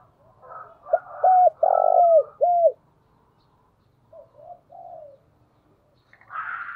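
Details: Spotted dove giving decoy calls: a loud run of four low, round coos with a gentle downward bend, then three softer, shorter coos. A faint low hum runs underneath, and a brief higher rasping sound comes at the end.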